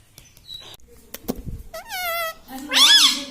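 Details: Indoor pet parrot that talks, reportedly saying "mummy", gives a drawn-out nasal phrase with wavering harmonics, then a louder rasping burst, after faint clicks and a brief thin whistle.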